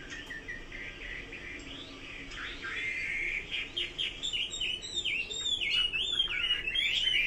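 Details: Chinese hwamei song building from a quieter, buzzy rambling start into loud, fast, swooping whistled phrases, notes bending up and down in quick succession.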